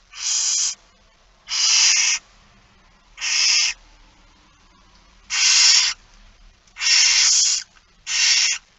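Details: Barn owl begging calls during a feeding, 13 September 2019 at 06:57. Six harsh, snoring hisses come at irregular gaps of one to two seconds, with quiet background.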